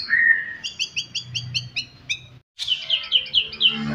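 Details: Shama song used to provoke rival birds: a long whistled note followed by an even rapid trill, a brief silence, then another quick series of bright repeated notes over faint low hum.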